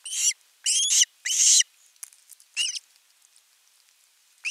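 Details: Osprey calling for fish at a nest, 10 August 2021: three loud grating screams in quick succession, then quieter scattered notes and a final softer call with light rustling.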